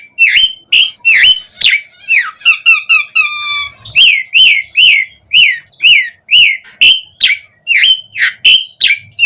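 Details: Asian pied starling singing as a lure to prompt other starlings to answer and sing: loud harmonic whistles and chattering, then a run of repeated buzzy rising-falling notes about twice a second.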